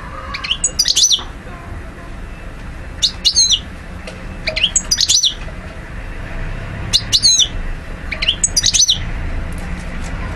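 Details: European goldfinch recorded in Algiers, Algeria, in 2012: short bursts of high, sharp twittering notes, each about half a second long, repeated roughly every two seconds over a low background hum.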